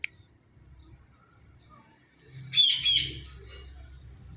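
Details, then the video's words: Blue ringneck talking parrot letting out one piercing, rasping two-part screech partway through, otherwise quiet apart from a low background rumble. "Blue Ringneck Talking Parrot | Natural Sounds"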